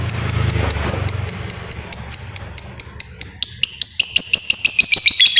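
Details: Laughingthrush of fighter type giving a long laughing call: a sustained series of sharp, harsh repeated notes, steady at first, then quickening and running together toward the end; faint low hum beneath.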